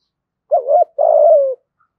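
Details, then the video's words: Spotted dove luring call meant to urge fighting and draw in wild birds: a wavering two-part low coo, then one long buzzy coo that slowly drops in pitch; otherwise quiet. "Tiếng chim cu gáy thúc đấu và gáy gọi kích bổi nhanh nổi"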